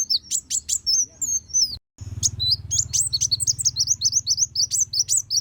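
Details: Singing kolibri wulung sunbird, recorded as master song for training other songbirds: high piercing chips and twisting whistled notes, a short break, then a fast run of squeaky slurred phrases over a steady low hum.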